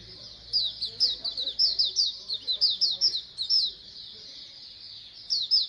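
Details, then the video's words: A colony of Oriental white-eyes, recorded to encourage birds to sing more. A busy stream of sharp, high twittered notes, each slurring down quickly, comes in rapid clusters over a faint low hum during the opening seconds. "Pleci Koloni agar BUKPAR AGAR RAJIN BUNYI"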